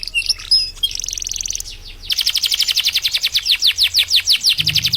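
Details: Canary singing in a lively, non-stop style for use as a master song when training birds: a few high whistles, then a rapid string of repeated downward-sweeping notes, about three per second, with a low hum beneath.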